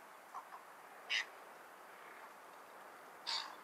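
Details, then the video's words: A cattle egret gives two short, harsh, croaking notes about two seconds apart, with a couple of fainter clicks before them and a steady hiss behind. "Cattle egret call"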